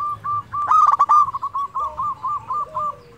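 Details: Local zebra dove singing as a lure for quiet birds: a loud rattling burst, then a rapid string of short rolling coos fading out, with a lower gliding note from a second dove near the end.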